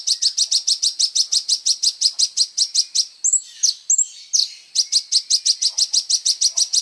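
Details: Kolibri ninja sunbird in energetic song, meant for training songbirds: long runs of rapid, piercing high notes repeated about three per second, broken briefly by a few sharp chirps and whistles.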